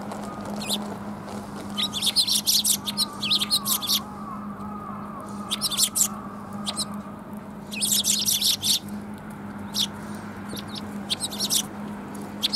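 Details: Sparrows coming to be fed at a Tenmangu shrine on 14 March 2021: bursts of high, sharp chirps from several birds, clustered in rapid runs separated by short pauses, over a steady low hum and faint background noise.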